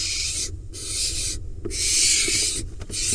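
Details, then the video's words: Barn owl nestling in a nest box in the Hula Valley, Israel, on 28 July 2021, harassing its father after he drops a mouse: long harsh rasping hisses in three bursts, with rustling between. "Dad drops a mouse and then get harassed by the nestling"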